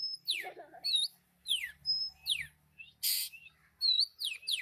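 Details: Rapid high bird song of repeated whistled notes and steep downslurred chirps in phrases about every second, with one short noisy burst mid-way.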